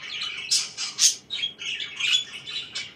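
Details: Pet budgerigars chirping in the morning, quick sharp squawks and buzzy warbled notes coming in irregular bursts about once a second.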